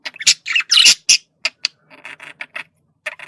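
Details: Male budgerigar communication call: a few loud harsh squawky notes at the start, then quieter clicks and short buzzy chirps in an uneven rhythm.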